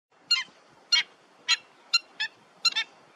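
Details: Pied avocet calling: a series of six short, sharp, high yelping notes, some doubled, spaced about half a second apart, over quiet background.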